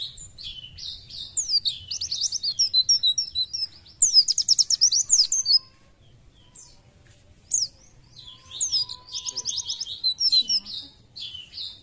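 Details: Oriental white-eye (pleci) in a cage sings two loud bursts of very rapid high chirps, roughly three per second, broken by a quiet stretch of soft twitters before a final trilled phrase.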